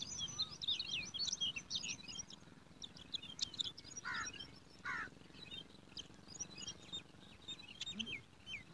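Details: Yellow sparrow babies begging in a garden nest while a parent feeds them: rapid, scratchy high chirps in irregular bursts, two louder downslurred notes midway, and a faint background hum.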